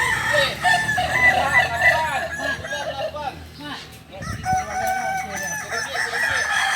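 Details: Kokok balenggek chickens crowing together during a group practice in Solok; a steady stream of overlapping wavering crows, softening briefly past the midpoint, then building again.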